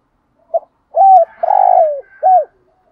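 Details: Caged spotted dove kept as a lure bird, bought in Dak Lak, Vietnam, used to draw in wild doves: one clear four-part cooing phrase, a short low note, a steady coo, a long buzzy falling coo, then a short falling note; otherwise quiet.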